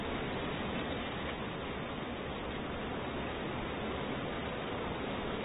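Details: Only an even, dense hiss fills the recording from start to finish, with no calls or other distinct sounds.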